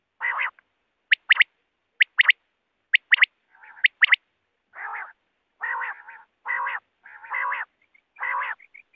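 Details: Calls of wild quail used when hunting with nets: a run of sharp, high paired notes about once a second, then a series of longer, rasping nasal notes.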